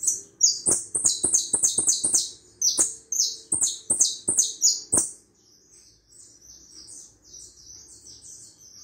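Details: Hooded siskin of Uruguay pouring out a fast, dense twittering run of high buzzy notes with clicks, then fading to softer, distant twitters.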